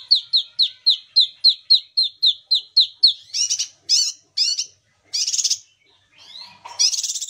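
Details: Kinoi singing its real song, used to get silent kinoi singing; a fast regular run of sharp downslurred whistles, then scratchy harsh bursts and rasping notes.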